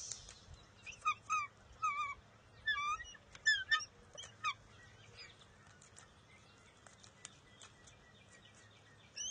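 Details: Bald eagles at a nest on June 23, 2021, an eaglet competing with its mother over a fish: a run of high, squealing two-note calls in quick bursts for about five seconds, then fainter scattered chips.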